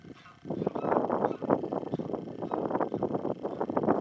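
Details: Common Shelducks at the Soča river mouth nature reserve on 17 March 2023 give rapid, nasal, cackling calls that overlap in a dense, steady chatter, as if several birds are calling together.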